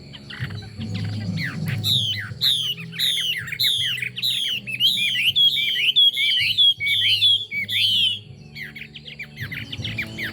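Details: Hwamei song made of loud downward-sweeping whistles, each repeated roughly every half second in a steady run lasting about six seconds, ending in a few softer notes over a low hum.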